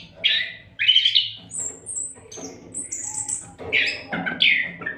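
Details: Oriental magpie-robin singing without pause as a model for other songbirds: harsh buzzy notes, very high thin whistles, and rough chattering phrases over a low hum.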